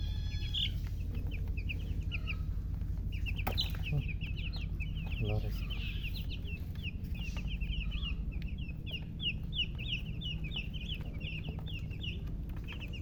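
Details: Baby chickens just out of the egg chirp loudly and continuously with rapid, high, downward-sweeping peeps, many chicks overlapping. A few thumps and a faint voice sit over a constant deep hum.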